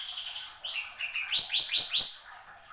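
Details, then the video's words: Horsfield's babbler, called mantenan gunung, singing actively: a high whistled note slides down into lower whistles, then four loud descending buzzy chirps in quick succession, fading away at the end. "SUARA BURUNG MANTENAN GUNUNG GACOR"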